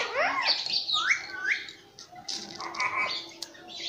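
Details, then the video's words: Pet ringneck parakeet, a talking bird that says 'mummy papa', makes rapid high chatter: upward-sliding squeaks and short scratchy syllables, busy at the start and looser near the end. "Nonstop Speaking mummy papa"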